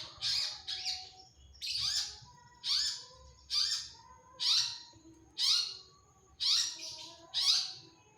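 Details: Long-tailed shrike in vigorous song: a regular series of harsh, downward-slurred squawks about once per second, each bright and grating, over a faint low hum.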